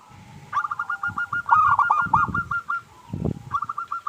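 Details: Singing local zebra dove, a lure recording meant to draw answers from other doves: fast, clipped, stuttering coos in quick runs, overlapping phrases from more than one bird, low thumping noises beneath.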